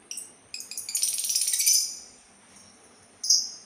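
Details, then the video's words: Sultan tit delivering a fast rattling chatter of high notes that builds and fades, followed after a pause by one sharp high call. "suara burung labet Sultan"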